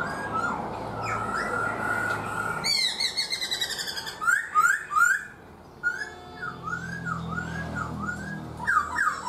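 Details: Caged black-throated laughingthrush, four months in captivity: a steady buzzy trill, then bursts of rapid pulsed chatter and rolling downslurred whistles repeated several times.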